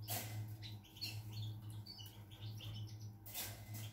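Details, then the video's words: A European goldfinch, 16 September 2020, sings a quick, tinkling twitter of thin, high notes, half-buried under a steady low electrical hum and brief bursts of rustling noise. "GOLDFINCH SONG"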